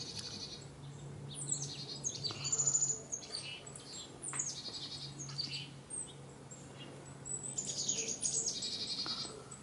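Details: Several chickadees calling busily in bright autumn foliage, fall 2021: rapid high, sweeping and descending notes overlap almost continuously, with a faint low drone running through the background.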